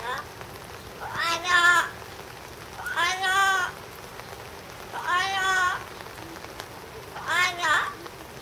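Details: Captive yellow-naped amazon, Higashiyama Zoo and Botanical Gardens, July 2011: four loud, quavering, nasal shouts roughly every two seconds, each rising and falling, against a steady hissing background.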